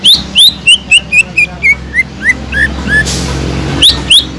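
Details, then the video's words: Greater green leafbird in full song, played to raise arousal in leafbirds lacking aggression: a descending series of crisp whistled notes, a short hissing noise, then high rising whistles. "PANCINGAN CUCAK IJO GACOR INI SANGAT EFEKTIF BUAT CUCAK IJO KURANG EMOSI"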